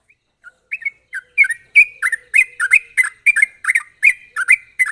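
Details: Sooty-headed bulbul in lively, sharp rolling 'gacor ropel' style, used as a lure to prompt other bulbuls to sing: a brisk run of short bubbly chirps, several per second, rising and falling, with no other sounds.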